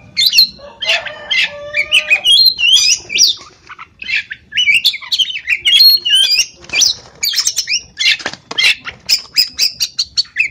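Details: Uncaged oriental magpie-robin in Pemalang, Central Java, Indonesia, pouring out a dense, varied song of high whistles, buzzy trills and quick slurred notes, then a run of evenly repeated sharp chirps toward the close.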